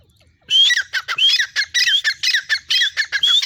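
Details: Female grey francolin calling: a quick series of loud, harsh, squawking notes, each with a thin whistled streak, running for about three seconds after a short quiet start.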